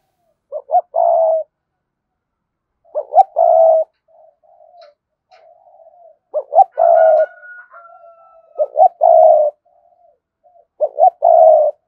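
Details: Repeated cooing of a spotted dove decoy kept to lure wild doves: five phrases, each two quick hoots and a long rough coo, about every two to three seconds, with soft quiet murmurs between and a thin higher call from another bird.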